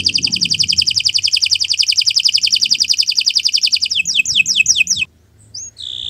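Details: Canary singing long and continuously, as a master recording for training other birds: a rapid even trill of very quick repeated notes, then slower descending sweeps, a short pause and a whistled note.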